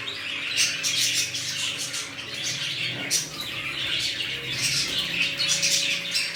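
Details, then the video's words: Many budgerigars of a fresh colony, red-eyed birds among them, chatter nonstop in bright scratchy twitters and whistles, with a short louder burst near the middle over a background hum. "Budgies Parrots New colony"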